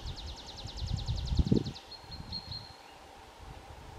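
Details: Tree pipit singing in a pine forest at Bzenec, Czech Republic, on 7 April 2019: a fast train of about fifteen repeated high notes, then a few longer, thinner drawn-out notes, with rustling and low background noise.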